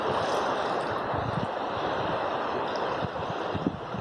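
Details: Rushing water and wind buffeting the microphone form a steady roar, with no animal calls.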